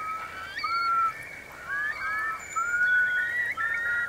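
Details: ['Eurasian curlews roosting in wet meadows at Marquenterre, Bay of Somme, France, during a high-coefficient high tide on 7 October 2021. Several birds overlap in drawn-out, upslurred whistles alongside scattered higher notes.']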